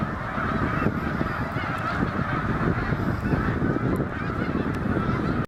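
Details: Huge autumn gathering of snow geese at Drummondville, Quebec, on the St François river, 10 November 2012; countless birds honk at once in a thick, continuous din that cuts off abruptly at the end.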